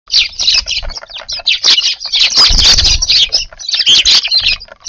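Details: Sparrows visiting a garden for their evening food in Japan, a lively flock chattering: dense overlapping chirps and squeaky tweets run almost without pause, with a few soft low thumps and flutters beneath.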